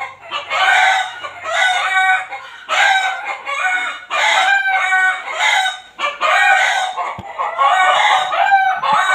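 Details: Neighbour's chickens in a backyard, audible every hour including night: a string of loud, raspy crows, several overlapping roosters, sounding in quick succession with short gaps.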